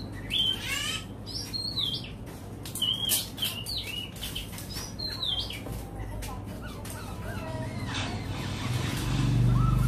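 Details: A white-rumped shama from Nam Cat Tien sings against a machine, giving rich, varied whistled phrases with quick rising and falling notes and some sharp chirps, over a steady low hum.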